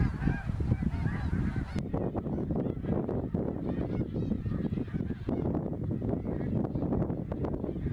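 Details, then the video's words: Greater snow geese in their hundreds of thousands migrating overhead near Ottawa, Canada, in autumn 2021; a dense, overlapping chorus of nasal honks from the flock, over a heavy low rumble, with an abrupt change in sound after the first two seconds. "Snow Geese Migration Fall 2021"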